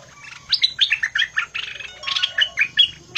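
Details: Bulbul in the fierce singing style, giving a fast run of bright, chirpy whistled notes that leap between low and high pitches, packed closely with little pause over about three seconds.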